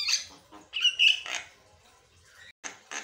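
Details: Asian pied starling chattering in song, a few harsh squawks and a clear whistled note, then a quiet pause and two more rasping bursts.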